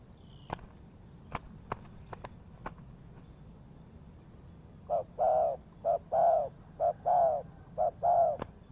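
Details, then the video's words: Spotted dove used to lure birds into a trap: sharp clicks and taps open the recording, then the dove starts a steady sequence of low mellow coo pairs, brief note followed by longer one. "The Sound Of Spotted Dove is good,Bẫy cu gáy bằng mồi trồn"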